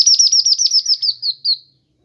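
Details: Kinoi bird on a master recording for bird training and luring: a loud series of about a dozen rapid, high, down-slurred whistled notes that slow slightly toward the end.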